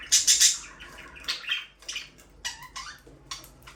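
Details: Budgies chirping: a loud trio of harsh, rapid chirps opens, followed by softer warbling chatter and short squeaky notes at roughly half-second intervals.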